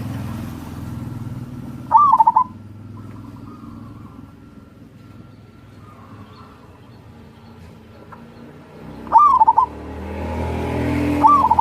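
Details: Short rolling coo phrases from a local wild-type zebra dove, intended to encourage lazy doves to sing, heard three times among long gaps filled with rumbling low noise.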